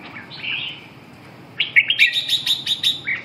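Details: Red-whiskered bulbul gives a warbled note, a pause, then a quick run of about eight clear, evenly spaced chirping notes, ending in a rising whistle.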